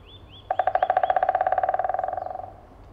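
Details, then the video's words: White-backed woodpecker drumming to attract females in Shiretoko National Park, Hokkaido, Japan; a rapid roll of about thirty knocks over two seconds that speeds up and then fades. Two thin, rising bird notes come just before it. "Beautiful Drumming Sound of White-backed Woodpecker"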